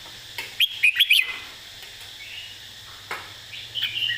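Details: Red-whiskered bulbul master song with clearly placed, emphasized notes: a tight run of four loud chirped whistles early on, followed by quieter drawn-out warbles, over a low steady hum.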